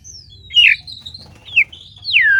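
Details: White-rumped shama in a captive breeding aviary during the mating season, in breeding condition; a few clear whistled notes, sliding and falling, separated by short pauses, with a faint low hum underneath.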